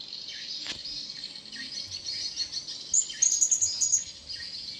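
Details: Wild blue-crowned hanging parrot approaching: a quick run of thin, very high squeaky notes about halfway through, set against a steady shrill insect-like buzz that fills the background.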